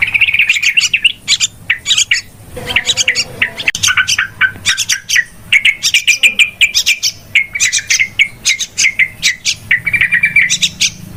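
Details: Yellow-vented bulbul calls used to lure birds into traps: long, restless chatter of quick clicks, chirps and bubbly warbles, several birds overlapping, nearly continuous with short gaps.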